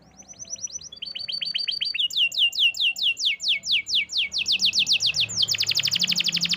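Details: Canary song building from soft repeated notes into loud descending sweeps about twice a second, ending in a very fast, dense trill of high notes.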